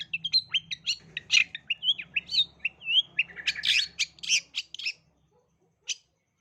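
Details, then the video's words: Long-tailed shrike lure song for young shrikes: rapid chattering run of mixed whistles and harsh rasps lasting about five seconds, then silence and one final rasp; faint low hum. "Pancingan Burung Cendet Gacor Dor Terbukti Ampuh dan Gacor Pencetak Pentet Calon Juara"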